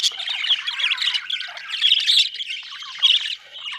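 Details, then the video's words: Budgerigar chirping, an Australian bird: dense, raspy warbling chatter mixing squawks and short chirps without pause, clean background. "Australian beautiful birds sound 😍 budgie chirping sound"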